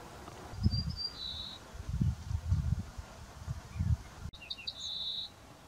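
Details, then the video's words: Ortolan bunting singing from walnut trees in farmland where several males sang. Two short phrases of a few high thin notes, each ending in a longer, slightly lower drawn-out note, with heavy low rumble of wind throughout. "CHANTS D'OISEAUX : LE BRUANT ORTOLAN (Emberiza hortulana - Ortolan Bunting)"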